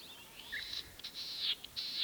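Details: Latham's snipe on its breeding grounds at Senjogahara marsh, Oku-Nikko, Japan, recorded 9 May 2020 while hidden in the wetland; harsh, scratchy high calls in rapid bursts, some slurring downward, run together over two seconds.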